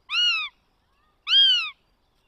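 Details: Northern goshawk chick (third chick) begging at a nest in the Netherlands, 20 June 2020: two drawn-out, arched, nasal wails about a second apart, rising then falling, with nothing else heard.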